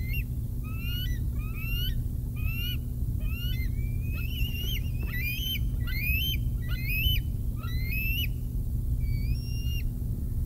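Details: Bald eagles at the Decorah North nest at 6:45 am, 16 July 2021, when a fish arrives for the older eaglets. Clusters of sharp upslurred chirps rise and fall in quick bursts against a constant low background hum.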